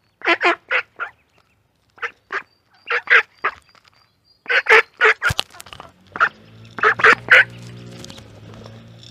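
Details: Duck with ducklings in a pond: loud harsh quacks in quick runs of two to four, pausing between bursts, with a low steady hum toward the end.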